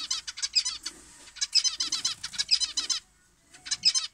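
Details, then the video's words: Aviary zebra finches at breakfast, recorded at 6:30 in the morning in cool, gently breezy weather; dense bursts of rapid, nasal, high chattering calls in quick clusters with brief pauses between, plus soft low rustling. "Zebra finch Morning with breakfast"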